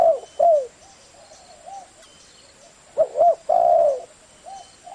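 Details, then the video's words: Spotted dove cooing: low, hollow hoots, two quick notes then a longer swelling coo, with softer distant coos in the pauses and little other sound. "Tiếng chim cu gáy"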